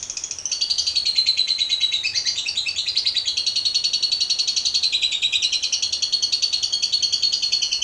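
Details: Lovebird delivering a sustained 'ngekek panjang' long trill: a loud, unbroken, rapid high chatter with slight rises and falls in pitch throughout.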